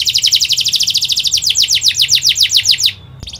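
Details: Atlantic canary delivering a rapid, tight rolling trill of bright down-slurred notes, nearly four per second, for about three seconds before stopping abruptly; a fast, dense, emotional song meant to teach young canaries.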